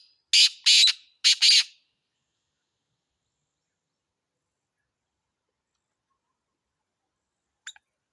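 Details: Black francolin (kala teetar) delivering three quick, harsh, grating notes in under two seconds, followed by a long silence and a faint click near the end.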